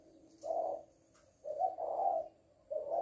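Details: Female spotted dove calling "lối": one low coo, then a longer two-part rolling coo, and the start of another, soft and husky, with a faint tonal hum in the background.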